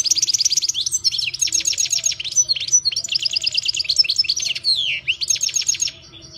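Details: Continuous song of a European goldfinch held by a keeper, dense bright twittering phrases of quick repeated high chirps and trills, barely pausing for six seconds, ending softer; faint low hum underneath.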